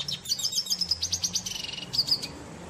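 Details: Short burst of song from a red siskin, or cardenalito: rapid, high tinkling chirps that merge into a buzzy trill and end in two bright, sharp notes. A low hum sits in the background.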